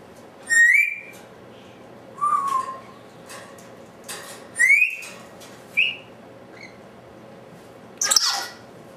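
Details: Captive African Grey parrot left alone indoors, vocalizing on its own: loud whistled notes sliding up and down, some rising sharply, interspersed with short squawks at irregular intervals of about one to two seconds, with a faint steady hum behind.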